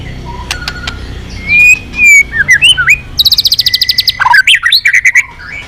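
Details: White-rumped shama, once silent and now singing again, delivering clear whistled slurs rising and falling, then a fast rattling series of sharp repeated notes and varied twisting phrases, loud against quiet background hiss.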